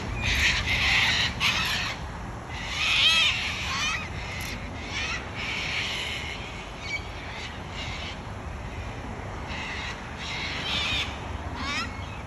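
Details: Series of raucous, scratchy squawks from wild cockatoos in Australia, coming in irregular bursts, some loud and close, others fainter, over several seconds.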